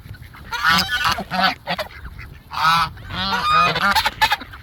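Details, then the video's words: Gaggle of geese approaching together, several loud harsh nasal honks overlapping in bursts, some rising and falling, with low rumbling background noise. "The Geese Came Honking"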